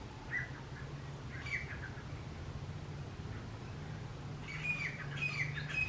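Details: Male and female grey francolins call loudly together: harsh, squeaky high calls in short bursts, busier toward the end, over a steady low hum.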